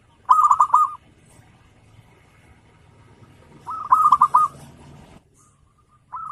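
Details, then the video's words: Local zebra dove singing insistently to goad rival birds: two loud, rapid rolling coo bursts roughly three and a half seconds apart over faint low rumble, with another phrase starting at the end. "Perkutut lokal gacor,suara full bocor memancing emosi lawan"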